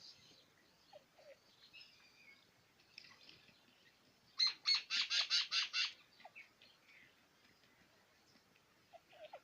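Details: Quail known as batair in Pakistan, a bird prized for its kirk call in competitions; after quiet rustling comes a loud series of six harsh, evenly spaced notes over about a second and a half, with faint chirps around them.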